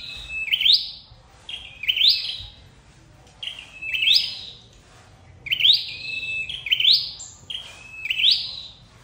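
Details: Red-headed flowerpecker lure call for trapping. Clear rising whistled phrases with a sustained high tail, repeated in pairs with short pauses, about six phrases over nine seconds. Quiet low rumble underneath.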